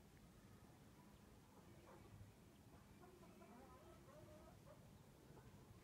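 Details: A German-line Wyandotte bantam chicken of yellow-white barred colour (Gelb-Weißgesperbert), a prize champion, gives soft, low, drawn-out clucks and murmurs over a few seconds against a steady rumbling background.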